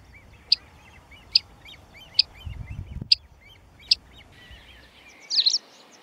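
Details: Great crested grebe with chicks on ponds at Tovačov, Czech Republic, 2013–2014: about six sharp high ticks, roughly every 0.8 seconds, over thin piping notes, ending in a brief burst of squeaky chatter.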